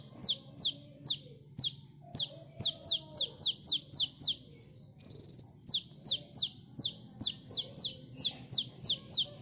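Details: Lure recording of a gacor sunbird (kolibri) for catching birds: rapid series of high, falling, piercing chips, briefly broken by a short buzzy trill near the middle before the chips resume.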